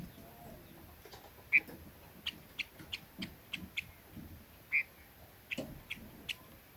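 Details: Red-billed leiothrix lure sound: irregular sharp high notes, two standing out louder at about one and a half and five seconds, others softer and scattered, faint low noise beneath.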